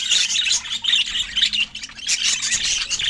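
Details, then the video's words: Budgerigars chirping as they feed. Bright, twittering bursts of warbled notes rise and fade in waves, with short pauses between the louder runs. "Budgie Nutrition Basics with Sweet Sounds and Feeding Joy"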